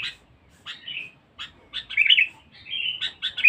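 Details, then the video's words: Lure-bird sooty-headed bulbul, vocal and aggressive, mixes harsh scratchy notes with liquid warbled whistles and a longer flat whistled note, uneven in rhythm across a few seconds. "pikat kutilang bagus"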